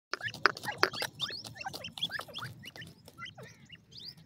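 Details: Black francolin chicks giving a rapid jumble of short, high, upslurred and downslurred peeps, several birds overlapping, with sharp tapping clicks early on.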